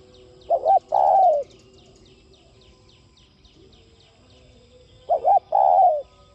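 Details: Spotted dove song for stimulating other doves to coo: two phrases about four seconds apart, each a quick wavering double note then a longer falling coo, with faint rhythmic high chirping throughout.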